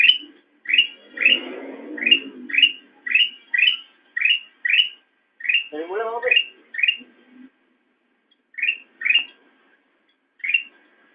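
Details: Black-crested bulbul singing for cage-bird training: short, bright rising whistled notes, about two per second, in bursts with pauses. A low murmuring voice is heard early and a brief lower descending sound near the sixth second.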